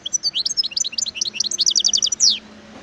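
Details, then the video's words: High tinkling song of a wild European goldfinch: busy varied chirps quickening into a rapid repeated series of sharp downward strokes, closing on a longer slurred note. "اسمع صوت الحسون البري"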